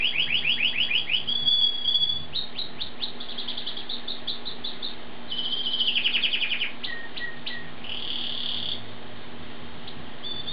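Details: Asian pied starling (jalak suren) in full, lively song: a rapid stuttering series of harmonic notes, then a long grating buzz and a few short squeaky notes, with a steady low hum behind.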